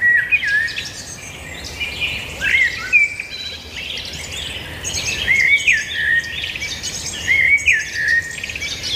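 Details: Several birds singing together, short whistled phrases that dip and rise recurring every couple of seconds over a steady background of high chirping.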